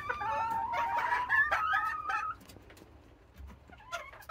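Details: Serama hens in a morning chorus before release; drawn-out, wavering nasal notes overlap for two seconds, then the calling drops to scattered quieter squawks.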